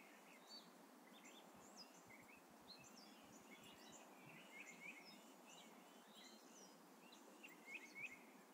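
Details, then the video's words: Morning birdsong outside a house in the sun, with several birds giving scattered, faint high chirps and short twittering notes over constant outdoor hiss and occasional low thumps. "Morning Sun With Birdsong"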